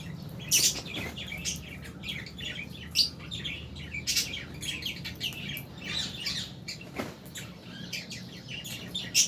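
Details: Several albino and Fisher's lovebirds keep up busy high chirping, with louder sharp tweets standing out about every one to two seconds above a low background hum.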